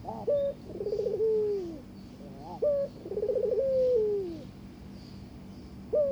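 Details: Barbary dove courting a newly given mate, inviting it to mate: a short upward note, then a rolling trilled coo that flows into a long, smooth, falling note, repeated about every two and a half seconds.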